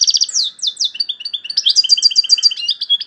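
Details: European goldfinch from Algeria in continuous high song: descending slurred notes followed by a lively chain of tinkling, rolling twitters.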